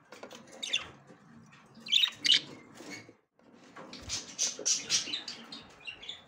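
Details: Budgerigar hen trying to enter the nest for the first time: scattered soft chatter, two sharp chirps near the middle, then a lively rapid run of high tweets after a short gap.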